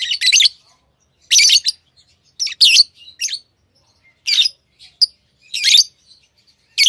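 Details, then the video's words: Pet lovebirds chirping: shrill, raspy, high squeaks in loose pairs and singles, roughly one a second, with faint softer notes between them. "Love birds Sounds | lovebirds chirping sounds"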